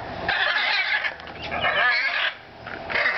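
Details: Blue parrots, several together, screeching at a riverbank zoo in Columbia, South Carolina, on 25 September 2010: harsh, raspy, overlapping squawks in loud bursts with brief pauses between them.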